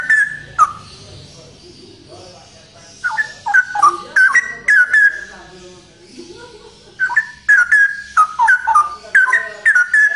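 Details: Male straw-headed bulbul in loud song, pouring out rapid runs of liquid, gurgling whistled notes in dense bursts, with brief quieter gaps between phrases and faint low background noise.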